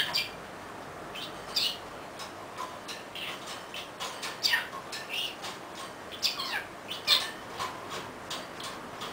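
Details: Pet budgerigar on its favourite swing, chattering while rocking the swing itself: a steady run of short, bright chirps and warbled notes, several each second, with occasional louder squeaks over a faint room hiss.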